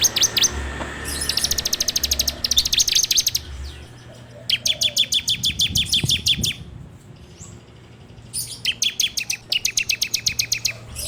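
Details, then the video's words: Bar-winged prinia singing, Android recording meant as a lure for keeping birds: several extended rapid rattles of high clicking notes separated by quiet gaps. "PANCINGAN SUARA CIBLEK TERBAIK FULL NGEBREM RAPETT!!!"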